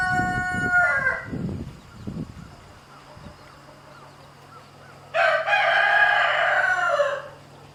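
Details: Rooster of a domestic flock, harassing a mother hen with chicks while she shows them to drink; the tail of one crow opens, then a strong drawn-out crow of about two seconds after a quiet stretch with a steady low hum.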